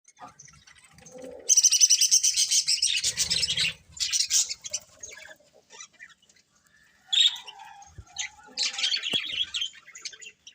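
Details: Breeding pair of colourful budgerigars chattering in bursts: dense, scratchy high warbles and chirps with short silent gaps between outbursts, the loudest stretch early on, then quieter scattered notes before a final lively burst.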